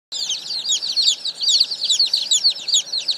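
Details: Newly arrived baby chicks, a hundred of them, delivered this morning, peeping together in a dense, overlapping chorus of high, short chirps, many falling in pitch, continuous throughout with no other sounds.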